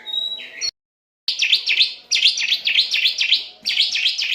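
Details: Asian pied starling in training audio for captive birds: a whistled rising note, a brief silence, then a fast chatter of V-shaped notes repeated about four times a second.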